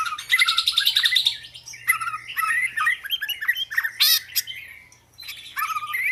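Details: Oriental magpie-robin with a fast trilled opening followed by mixed whistles, squeaky notes and a brief harsh rasp, over a faint low hum.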